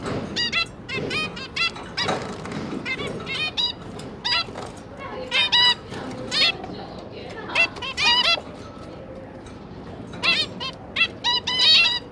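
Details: Zebra finches, a pair of parents with three newly hatched juvenile young, busy feeding their babies; many short nasal, honking chirps in quick irregular bursts, several birds calling over one another, with soft background noise.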